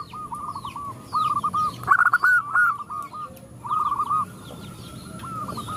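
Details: Zebra doves cooing in response to a female calling males; rolling, stuttered coo phrases repeat from several overlapping birds, louder mid-clip, with small-bird chirps and faint background noise.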